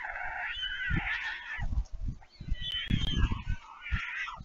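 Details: White stork fledglings back at their nest at Leemansmolen, Vriezenveen, Netherlands, on 11 July 2022, begging while a parent feeds them: hoarse, quavering whines rising and falling, two overlapping bouts with low bumping noises.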